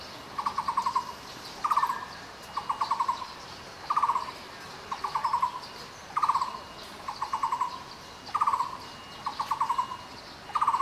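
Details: Taiwan barbet, a Taiwan endemic of lowland to mid-altitude woods, giving short, low, rapidly pulsed knocking trills, about one burst per second, repeated steadily over a soft background hiss.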